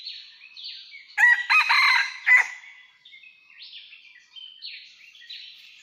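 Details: Wild red junglefowl cock crowing in rocky mountains during a trapping outing, 17 March 2019: a single loud, hoarse, stuttering crow lasting just over a second, while other birds sing high, sliding phrases in the background.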